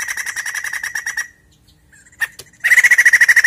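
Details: Lure sound of white-crested laughingthrush to prompt a caged bird's song: quick harsh chatter, a quiet pause with faint whistles and clicks, then a louder run of rapid repeated notes.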